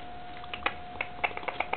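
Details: An angry Java sparrow gives a quick run of sharp, dry clicks, about eight in just over a second, over a steady electrical hum indoors.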